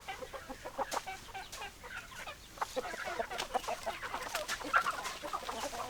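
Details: Flock of hens clucking: dense overlapping short clucks and chatter, with brief sharper notes scattered throughout and a slightly louder stretch in the second half.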